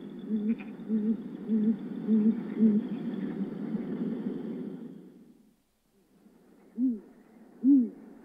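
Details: Great grey owl hooting: a run of five deep, evenly spaced hoots, then a brief hush and two louder, separate whooping notes that rise and fall.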